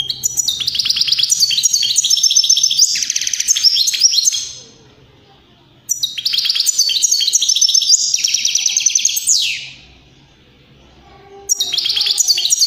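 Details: European greenfinch singing strongly, a song used to stimulate other birds to sing and mate: bursts of rapid, high twittering trills of about four seconds, split by short silences, then starting again.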